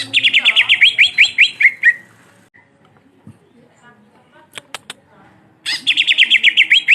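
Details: Cucak ijo with a long black muzzle sings continuously in bursts of rapid, bright, slightly buzzy chirps at a steady pitch, broken by a pause with a few faint clicks before the chirping run resumes.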